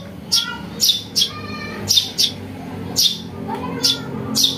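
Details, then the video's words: Young house sparrow calls used for luring birds: a series of eight harsh, high chirps, some in quick pairs, spaced irregularly over a low background hum. "Suara anak burung greja untuk mikat | masteran"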